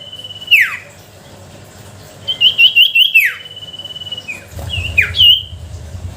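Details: Lure recording of sooty-headed bulbul song meant to coax silent bulbuls to sing: a few sharp, falling whistled slurs separated by gaps, with a quick burst of repeated chirps in the middle and a low rumble near the end.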